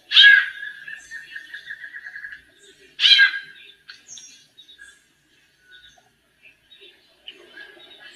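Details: Female White-necked Thrush singing like a male, as a warm-up: two loud, harsh, harmonic bursts about three seconds apart, the first trailing into a soft rapid buzzy trill, with faint twittering between.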